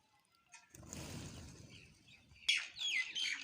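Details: Sparrows eating, first a low rustling, muffled noise, then a burst of bright, high chirps near the end, quick and slightly scratchy.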